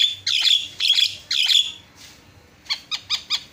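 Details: A Javan myna, offered as a master and lure bird for training others, gives three harsh, grating high notes about half a second apart, then a quick run of four short, sharp chips.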